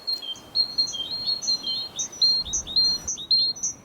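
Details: Great tit (Parus major), song: faster, punchier urban song to be heard over traffic.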